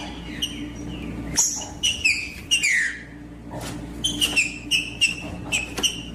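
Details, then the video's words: Captive green-winged saltator singing to warm up a cold bird: a series of clear, whistled, slurred notes, some dropping in pitch, given in short bursts over a steady low hum in the background. "Esquentar trinca ferro frio com trinca ferro cantando"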